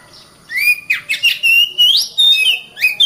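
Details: Oriental magpie-robin (kacer) singing as a masteran tutor: varied whistled phrases with upward slurs, sharp chips and a long rising then level whistle, delivered in uneven bursts with brief pauses.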